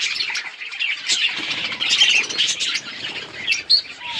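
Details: October 26, 2023 recording of chirping budgies: continuous, overlapping high chirrups and squeaky notes, with louder scratchy squawks breaking through now and then.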